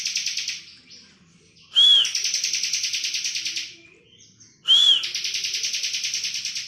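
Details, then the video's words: Vigorous ngebren song from a bar-winged prinia, meant as a tutor track for songbirds. A trill tail is followed by two phrases about three seconds apart, each a sliding whistle merging into a long, evenly pulsed, buzzy rattle. "ciblek kristal gacor full ngebren!"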